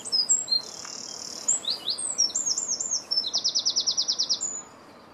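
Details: European greenfinch calling while feeding in 2017: it opens with a long flat buzzy wheeze, then quick twittering notes and a steady trilled rattle of about a dozen pulses.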